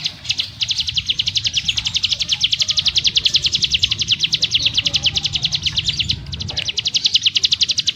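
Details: Sustained ngebrem song from a mountain prinia (ciblek gunung): a long, tightly packed series of piercing high notes fired rapidly for several seconds, with only a brief break near the end before resuming.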